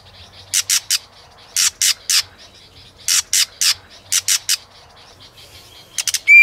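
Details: White-rumped shama, a female prompting a male to sing in competition, with tail-flicking. Rasping broadband notes come in clusters of three, then a brief pause, ending with a short rising whistled note.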